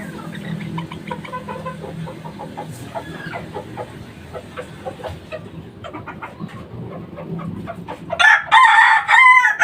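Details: Young kukuak balenggek chicken aged three months; soft scattered clucks and low rumbling fill most of the recording before a loud, segmented crow bursts out near the end and carries to the close.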